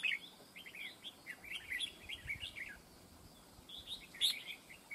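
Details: Red-whiskered bulbul, a decoy bird singing in a fight trap: quick bright warbled phrases of short rising and falling notes, in clusters through the clip, with one louder burst near the end.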